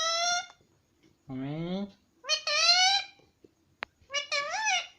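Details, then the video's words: Pet rose-ringed parakeet indoors, talking and saying mummy: several harmonic, voice-like syllables, some rising and falling, one lower and buzzier, separated by short pauses in a quiet room. "parrot talking mummy and papa"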